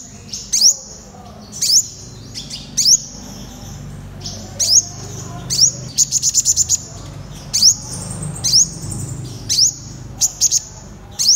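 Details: Purple sunbird song, a long run of high, thin rising sweeps roughly once a second, broken by rapid bursts of clipped chipping notes, steady faint background hiss.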